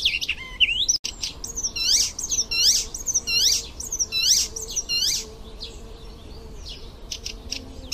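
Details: Icterine warbler singing a lively song full of fill-in phrases: high, hooked, downslurred notes repeated about twice a second, then sparser sharp ticks and fainter warbling.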